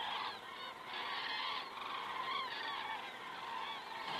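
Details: Crane cam in Estonia, 19 September 2017 at 19:10: common cranes passing over in the evening, giving a thick chorus of overlapping trumpeting calls that rise and fall in short bursts.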